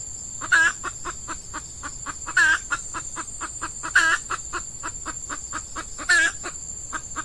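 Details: Female red junglefowl decoy luring males in peat scrub. Dense, regular clucks run throughout, with four strong harsh squawks roughly every two seconds. A steady insect whine is heard high above.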